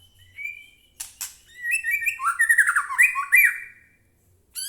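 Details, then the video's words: White-rumped shama singing loudly as a provoking lure for captive birds: brief thin whistle, two harsh clicks, then a dense, quickly repeated warbling phrase with falling notes, closing with a sharp chip. "murai batu gacor AMPUH buat pancingan murai batu agar bunyi"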